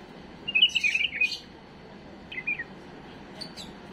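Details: Mistake-free song of a tame bulbul, for training young birds: a rich rolling warble of tumbling notes, then a shorter two-note phrase and a thin high note near the end.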